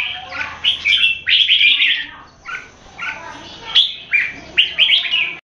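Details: Red-whiskered bulbuls in a Singapore cage-bird singing competition, open-tail keke versus long, loud keke. Loud chirpy warbled phrases come in separated bursts with short pauses and end in sharp upward notes.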